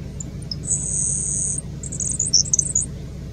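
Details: A Grasshopper sparrow at Nations Road gives a couple of thin ticks, then a long, very high, insect-like buzz, followed by a quick sputter of tinkling notes over a low background hum.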